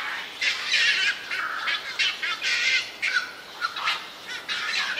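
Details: Energetic black-crowned night heron chicks at a cormorant and heron colony on a bird island between Yokojukken Shinsui and Sendaiborigawa parks, June 1, 2023. Loud, hoarse, grating squawks come in rapid uneven bursts, with other colony calls behind.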